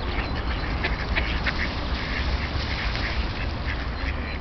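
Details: Wild ducks wintering in their hundreds on Tourujoki, a small river in Jyväskylä, Finland, kept unfrozen by a nearby paper mill; a dense chorus of short overlapping quacks over a steady low rush of background noise.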